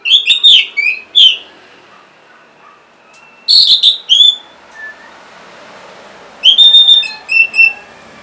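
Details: Orange-headed thrush song played to coax caged birds that are reluctant to sing: short clusters of bright, high whistled notes separated by quiet gaps of a couple of seconds.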